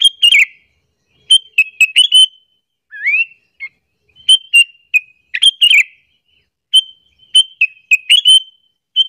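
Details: Sooty-headed bulbul call for luring other bulbuls and making them angry: frequent bright chirp clusters throughout, including one upward-sliding whistled note, delivered in bursts about a second apart.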